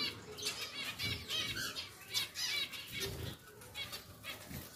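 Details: A pair of pied zebra finches, caged, just moved into a new larger cage; nasal buzzy harmonic-rich calls repeat irregularly over background rustling and wing flutters.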